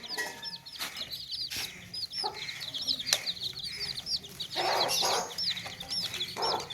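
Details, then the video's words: Many baby chicks in a tokri, a woven basket, cheeping constantly, each peep a high slurred whistle, over a low background hum with scattered clucks and scraping noises. "Baby Chicks Chirping Sounds In Tokri | Chicken's Chicks Sounds and Chickens Clucking Sounds"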